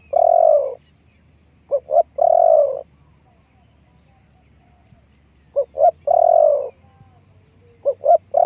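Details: Decoy spotted dove cooing: a long hoarse croo, then two quick short notes and another drawn-out croo, the phrase repeated after a pause of about three seconds, in an otherwise quiet setting.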